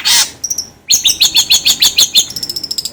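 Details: Training song of a long-tailed shrike (cendet, pentet), played to get birds singing fast: a loud hissing burst, a thin high whistle, then a rapid series of sharp, chattering chips about five per second.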